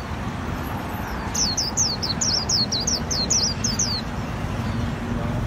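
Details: Japanese white-eye singing in the khuyên líu style, from a Vietnamese keepers' collection: a quick run of about a dozen high, thin, downward-slurred notes over under three seconds, with steady low background rumble.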